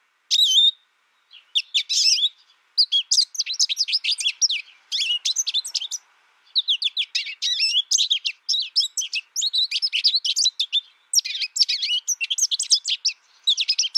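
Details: An isolation-raised American goldfinch tutored only by a recording sings in bursts: an opening whistled note, then several long spells of rapid, scratchy twittering separated by short silences.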